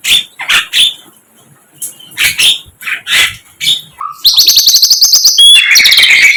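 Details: Sikatan londo, a flycatcher recorded in the wild, gives spaced high chirping notes that give way to a loud, fast, rattling trill of rapidly repeated sharp notes.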